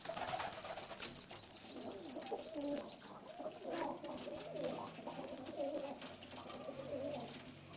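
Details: Istanbul pigeons with pale (çakır) or red eyes cooing steadily in low, throaty phrases throughout, while a series of short, high, arched chirps repeats early on and again near the end.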